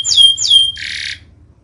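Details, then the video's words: Canary song used as a training recording for birds that have stopped singing: two bright whistled notes sweeping sharply downward, then a short dense buzzy trill that fades after about a second. "MASTERAN KENARI 002 Cocok untung burung macet BUNYI"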